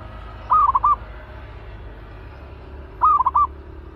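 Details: Fierce caged zebra dove being prepared for trapping work: two crisp, stuttering coo phrases, each a quick series of rolled notes, spaced about two and a half seconds apart against a low hum.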